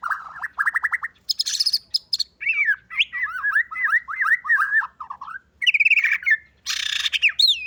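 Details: Fighter-type white-rumped shama with canary-filled song delivers lower warbled phrases, a run of repeated slurred notes, scratchy high bursts and a final whistled upsweep.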